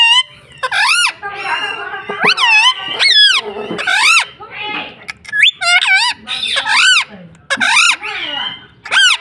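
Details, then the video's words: Pet parrot talking indoors, a bird taught to say mummy and papa; a fast run of nasal, harmonic, speech-like syllables in short bursts with rising and falling inflections, brief pauses between phrases. "mummy bolne wala tota - Papa Bolne Wala Tota - Talking parrot"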